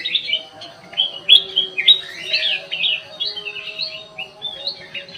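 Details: Black-crested bulbul in an aviary singing actively: clear whistled and chirping notes in quick irregular succession, some sliding phrases, accompanied by a low steady hum.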